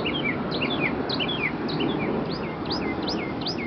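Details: Early-morning song from a wild bird in an Arlington, Virginia neighborhood, April 9th, 2011: bright slurred whistles in pairs, each high note followed by a lower downswept one, repeated rapidly against a steady low rumble.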